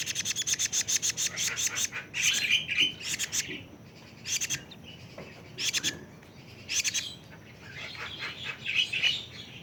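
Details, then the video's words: Young plaintive cuckoo, aged 41 days, giving bursts of fast, rasping high notes that alternate with short buzzy trills and brief pauses. "burung kedasih jali umur 41 hari"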